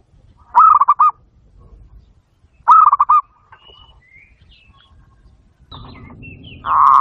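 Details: Lure song of a zebra dove meant to make other doves answer: two rolling, pulsed coo phrases about two seconds apart, faint high twitters between, then a loud rushing handling noise at the end.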